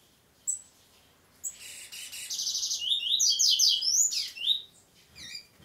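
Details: Double-collared seedeater singing only in the 'prego' style: after a few sharp high chirps, a loud phrase starts as a rapid buzzy trill, then runs into quick high whistled slurred notes, rising and falling, ending with scattered chirps.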